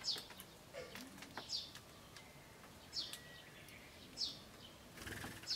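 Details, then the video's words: Eurasian tree sparrow in spring (10 May 2013) with tail raised, giving sharp, high "jyujyujyu" chirps about every second and a half while charging at another sparrow, over soft outdoor hiss; fighting or courting is uncertain, and it is milder than winter fights. "スズメの喧嘩？それとも求愛？ Tree Sparrow's fighting? or courting?"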